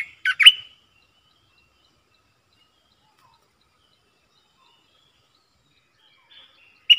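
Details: Streak-eared bulbul used as a decoy to lure wild birds and to teach young birds gives a brief burst of two or three sharp liquid whistles, then long quiet, with one more note at the close.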